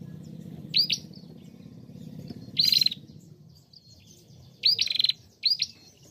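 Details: A female bar-winged prinia in full voice, meant to trigger song in other prinias. Widely spaced bursts of rising whistles and brief rapid pulsed chatter, four groups over a low steady hum.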